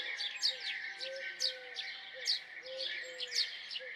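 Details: House sparrow chirps ring out in bright bursts about every second. Low, soft, arched whistles, perhaps a dove-like coo, sound underneath, with a continuous high whine.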